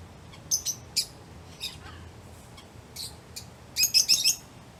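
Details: Lovebirds chirping while playing, eating or excited: shrill high chirps in short groups ending in a quick run of four notes, over steady broad background noise.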